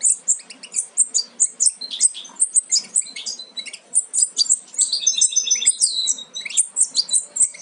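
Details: Almost fledged European goldfinch chicks from a Major carrying aminet crossed with a Parva Ancestral. Several birds keep up a fast, insistent run of sharp, very high chirps, some twittering notes dropping in pitch, without break.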